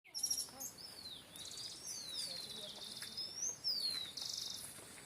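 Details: Wild birds singing in nature with wind, thin high whistles sliding downward and upward, several overlapping phrases and brief chirps over a soft steady hiss.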